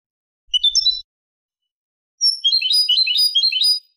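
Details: Clean song of a European goldfinch from 2023: a short burst of high chirps, a pause of over a second, then a lively, jumbled twittering phrase of rapid, tinkling notes, heard alone without background noise.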